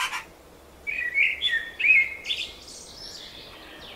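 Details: Spring song of birds: after a short scratchy note and a pause, two rich warbled whistles ring out, trailing into high fluttering twitters.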